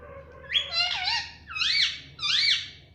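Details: Pet talking parrot indoors, said to utter "mittu" and "mummy"; three shrill, nasal syllables each swooping up then down, over a low steady background hum.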